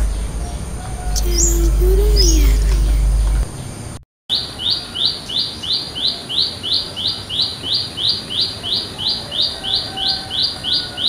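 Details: Wild olive-backed tailorbird in a village setting gives a loud run of sharp, high notes, about three per second, evenly spaced, after a brief low voice-like sound; its call draws other birds to answer.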